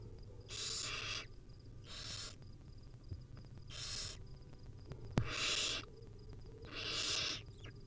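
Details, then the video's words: Wild barn owl nestlings begging while their mother hands out tiny bits of food: five rasping hissed screeches about half a second long, roughly every one to one and a half seconds, plus a sharp click. "Hungry baby barn owl nestling get fed tiny bits by their Mom."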